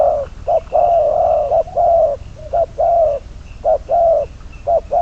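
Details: Spotted dove serving as a trapping decoy, calling in continuous low coos, short clipped notes alternating with longer mellow ones, almost without pause, under a thin high-pitched hum and steady hiss.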